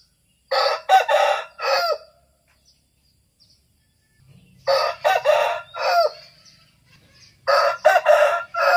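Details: Bangkok fighting rooster crowing three times, each crow a loud, hoarse, broken phrase of several segments lasting about a second and a half, separated by a few seconds of quiet with a faint low hum.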